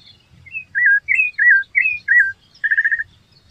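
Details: Rufous-bellied thrush in song, delivering a run of rich whistled notes that curl up and down, ending in a quick buzzy trill of repeated pulses; soft low background noise.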